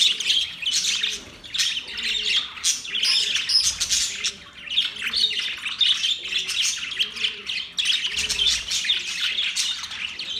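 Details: Several budgerigars chattering in happy mood, overlapping bright chirps and squawky warbles in continuous bursts, with brief dips in the racket every few seconds.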